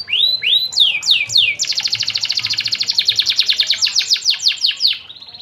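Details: Canary singing for training other birds: a few slow arching whistled notes followed by a long, fast series of sharp repeated notes that slows and fades at the end.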